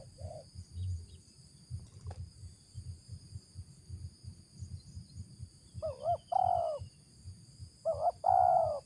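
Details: Spotted dove (tekukur) of the 'ngeruk' voice type, kept as a lure bird: two pairs of low husky coos near the end, a short wavering note then a longer one, after quiet background rumble.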